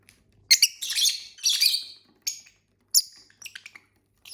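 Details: Pet lovebirds from a household flock of six in blue-white, yellow, pale green, black-headed and mango colours, eating and singing: harsh, buzzy high chirps in a quick cluster, then short scratchy notes spaced about half a second apart.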